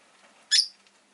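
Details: Rosy-faced lovebird kept indoors in a cage by a window with five birds present, on a relaxed afternoon; a single short, sharp, high chirp rises briefly out of quiet room tone.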